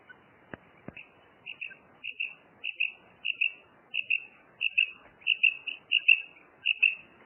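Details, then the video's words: Female common quail repeating high, paired chirping notes at a steady pace, about ten pairs in seven seconds, with two sharp clicks near the start. "Female quail sound| madi batair ki awaz | batair karkaree| Maadi Batair Ki Awaz| Female Common quail"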